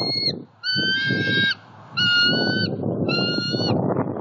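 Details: Bald eagle pair bonding at a Southwest Florida nest, morning, October 2, 2019: thin piping chatter, several sustained high notes in three spaced bursts over a low rumbling background noise.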